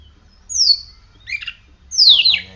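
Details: Caged oriental magpie-robin kept on a routine of morning sun from half past six to half past eight sings high descending whistles separated by a brief chattering burst, with a low hum underneath.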